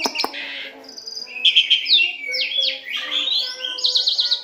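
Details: Asian pied starling song for training captive birds to imitate: two sharp clicks, then a flowing series of down-slurred whistles and rising sweeps, ending in quick repeated looping notes.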